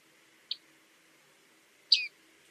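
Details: Bearded reedling with a brief soft high note followed by one fuller, downward-slurred metallic 'ping' call, against light background hiss.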